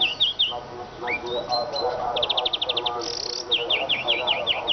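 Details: Eurasian siskin twittering: quick high chirps, a rising whistle, a rapid evenly spaced trill and a brief buzz, then a run of descending chirps, with lower chatter in the background.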